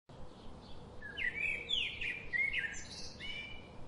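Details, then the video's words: Birds chirping: bright, rapid, sweeping chirps and short whistled phrases in quick succession, set against a steady low background hiss. "birds chirping relaxing birds sound"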